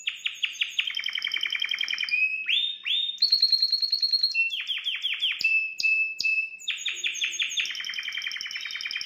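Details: Loud, continuous canary song intended to stimulate a female. Rapid trilled tours alternate with rising whistles, fast high rattling rolls and runs of falling notes, with almost no pause throughout.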